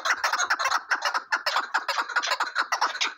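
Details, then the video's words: Chukar partridge giving rhythmic chuck notes, clipped and harsh, repeated roughly every fifth of a second in a steady, pulsing chatter with no other clear sounds. "Keklik sesi"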